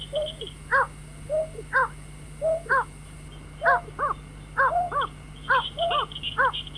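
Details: Night-trapping lure of a white-breasted waterhen: quick doubled harmonic calls mixed with lower slurred notes, about once a second, over high chirping and a constant whine.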